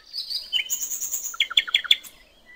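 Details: Common nightingale on a riverbank in nature, a short phrase opening with a high sustained whistle, then a rapid series of sharp descending chirped notes, about six in quick succession.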